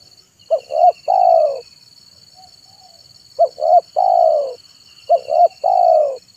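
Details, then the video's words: Lure song of a zebra dove recorded in the afternoon: three phrases of brief rising coos ending in a long trilled downward coo, with faint soft notes between and a thin high insect whine throughout. "SUARA BURUNG TEKUKUR MANGGUNG DI SORE HARI"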